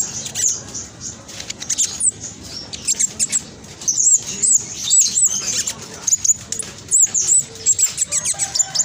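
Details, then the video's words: Black sunbird 'trotol' singing a rapid, dense 'nyerecet' chatter meant to prompt other birds to join in: thin, very high twittering notes in quick bursts, barely pausing, with soft low hum behind. "Blacksunbird trotol gacor prospex cocok buat pancingan burung macet malas bunyi"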